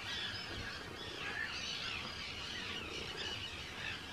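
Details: Arctic terns in a large breeding colony on Rottumerplaat, Groningen, the Netherlands, 4 June 2023: a dense overlapping chorus of harsh, high, scratchy calls from hundreds of birds, with no single caller standing out.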